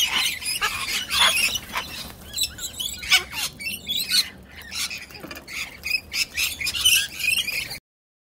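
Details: Two cockatoos in a tense stand-off, a one-eyed bird staring down a troublesome rival; repeated harsh, rasping squawks in uneven bursts, some with brief whistled edges, roughly two or three per second, then silence at the end.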